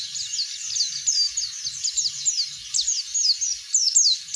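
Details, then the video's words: Oriental white-eye singing loudly and openly to encourage other birds. Quick series of shrill, downward-slurred chirps repeated almost evenly, with a few louder accented notes. "burung pleci ngeplong buat pancingan bunyi"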